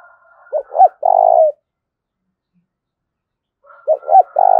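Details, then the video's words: Spotted dove, thổ đồng voice, cooing in the thúc and gáy gọi manner: twice a pair of short rising-falling notes runs into a long steady coo, about three seconds apart. "Tiếng cu gù Thúc và Gáy Gọi Nghe Cực hay"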